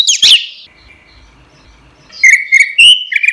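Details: Caged orange-headed thrush singing loudly and continuously, used as a training model for songbirds; a sharp high burst of notes opens, then after a quiet pause comes a run of bright, clear whistled phrases.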